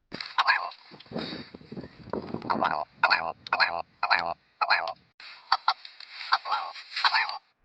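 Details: Willow ptarmigan (Lagopus lagopus) giving harsh, nasal, barking calls, roughly two per second, in a stuttering series, with a man's voice briefly at the start.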